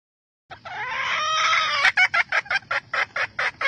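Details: Vietnamese Red junglefowl hen calling to stimulate males, a long strained harmonic cry that turns into a steady series of short, clipped cackles about three per second.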